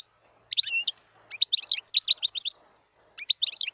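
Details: A wild European goldfinch gives short bursts of high, sparkling twittering with quick rising and falling notes, split by brief gaps, in an otherwise quiet setting.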